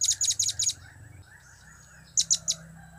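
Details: Serindit, or blue-crowned hanging parrot, uttering cap-cap, kiak-kiak and crap-crap calls: a rapid run of four doubled high chips, a quiet gap of over a second, then three louder, ringing chips.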